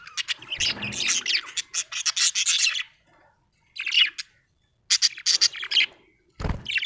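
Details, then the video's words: Contented budgie in a busy chatter of raspy, high chirps packed tightly for three seconds, then short bursts of rapid twittering separated by silent gaps, ending with a thud. "Happy budgie chirping sound"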